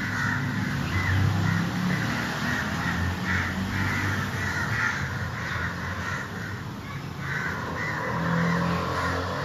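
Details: Crows in a group cawing to call other crows; dense, scratchy caws repeat rapidly and irregularly, several birds at once, above a loud low-pitched hum.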